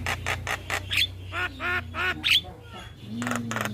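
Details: Male Javan myna calling companions, used to lure mynas: repeated harsh grating notes and a few squeaky whistles, with a steady low hum throughout.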